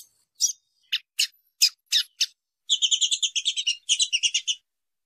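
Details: A female Double-collared Seedeater gives stimulating calls used to get males singing before contests: six sharp, high chips about every third of a second, then a quick run of doubled, twittering notes; finding: Double-collared seedeater.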